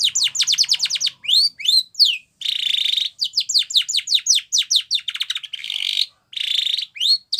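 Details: Canary training song: rapid series of high sweeping notes falling steeply, grouped in fast trills, broken by dense buzzy rolls held near one pitch, with brief pauses between phrases.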